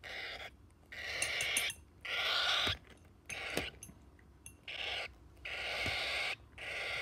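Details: A motherless cockatiel chick being hand-fed gives begging calls: harsh, wheezy rasping bursts, each under a second long, in a rapid stop-start rhythm, with faint handling noise between them.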